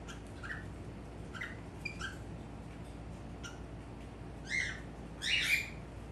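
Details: Male pet cockatiel in front of a mirror: soft, short chirps repeated roughly every half second, building into two louder, harsh calls near the end, indoors with low background hum.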